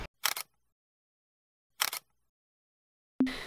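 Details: Two quick camera shutter clicks, then a sharp thump with low hum and hiss; no animal voice.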